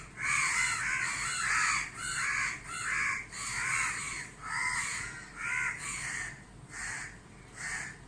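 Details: A group of crows caw around a sun-dazzled barn owl beside a house in Dhaka, Bangladesh, without pecking it. Harsh, hoarse caws repeat steadily, roughly eleven in eight seconds, sometimes overlapping.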